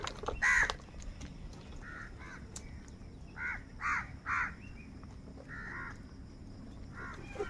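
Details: Crows fighting for food call in hoarse, nasal caws. One loud caw opens the sequence, then a scattered run of shorter, clipped caws, some in quick pairs, while a faint background drone continues.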